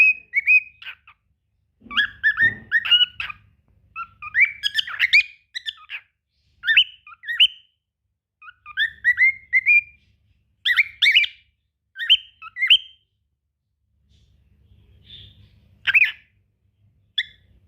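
A cockatiel whistles a lively song of short rising and falling phrases with chirpy warbles.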